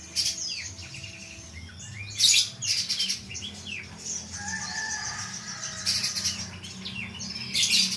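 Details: Pijantung pisang and pijantung gunung, the little and mountain spiderhunters, give loud clusters of sharp, high chipping notes amid thinner slurred whistles and a brief steady tone, over a low background hum.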